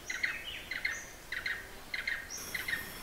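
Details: Blue-eared barbet in Hala-Bala Wildlife Sanctuary, far southern Thailand, giving rhythmic paired trilled notes roughly every 0.6 seconds, each pair a quick doubled burst, with a thin high whine in the background.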